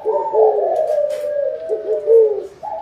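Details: Spotted dove calling for a good harvest: a continuous band of smooth low coos with gentle pitch bends, one phrase flowing into the next.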